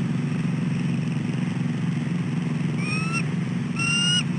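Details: At dawn in early December a nesting female bald eagle calls for her mate to take over egg sitting; two short upward-sliding whistles come in the second half over a constant low drone.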